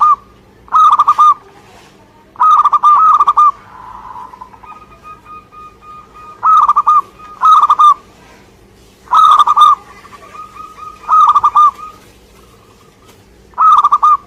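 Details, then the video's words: Energetic singing by a local zebra dove in Indonesia: a long sequence of rapid, trilled coo bursts, each a tight cluster of soft notes, returning every two seconds or so, with a faint hum throughout. "Suara Gacor perkutut lokal"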